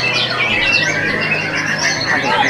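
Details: A competition white-rumped shama at an Indonesian songbird contest pours out rich, fast whistled phrases that sweep up and down, over a low steady hum and other birds' chatter.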